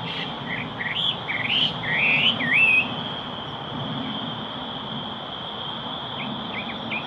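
Yellow-breasted chat giving a quick run of slurred, upward-swooping whistles, then a pause and a few faint notes, over a steady high insect-like hum and low rumble.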